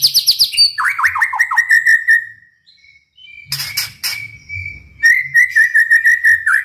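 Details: Chattering 'gacor' song of a white-rumped shama, full of 'tembakan' bursts for provoking rival shamas into song; quick descending sweeps run into a long steady whistle, then crisp clicks and another rapid rattled series.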